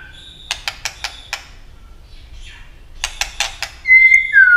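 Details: White-rumped shama in competitive singing, flicking its tail, delivering two bursts of harsh rattling chatter separated by a pause, then loud, clear whistled notes at the end.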